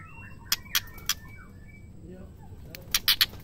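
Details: Female white-rumped shama calling, a sound used to stir male shamas into singing: sharp, loud clicking chips in short bursts, three early and a quick cluster near the end, with faint thin whistles between.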